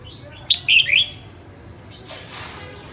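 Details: Female red-whiskered bulbul of northern stock in singing practice, uttering a single crisp phrase of three or four slurred whistles, followed by a soft rushing noise.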